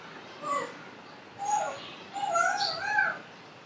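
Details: Pet African grey parrot with a talking ability, giving three short voice-like bursts with shifting harmonic tones spaced about a second apart over a quiet indoor background.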